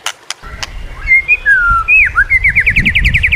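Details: White-rumped shama training song: a long sliding whistle, looping slurs, then a fast pulsed trill of bright notes, over low background rumble.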